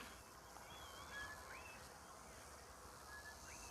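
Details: Southern Boubou in Madikwe on 15 December 2022, by wet mud, gives a few faint, clear whistles, some flat and some sharply rising, about two seconds apart over a steady outdoor hiss.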